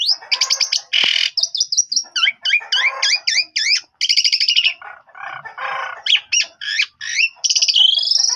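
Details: Asian pied starling in lively song meant to prompt answering starlings: rapid mixed phrases of squeaky upslurred whistles, grating buzzes and chattering notes, almost without pause.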